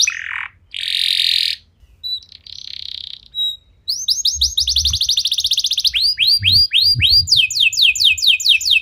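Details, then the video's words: Canary lure song played to trigger other canaries to sing: a buzzy rasping burst, a lower harsh note, then rapid upswept whistled trills repeating about four per second and speeding into fast chirped rolls. "Kenari Anda Bisa Gacor Seketika Dengar Pancingan Kenari Nembak Joss Ini"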